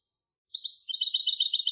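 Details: After a brief silence a European goldfinch hybrid gives a short high note, then launches into rapid, regular twittering that continues to the end of the clip.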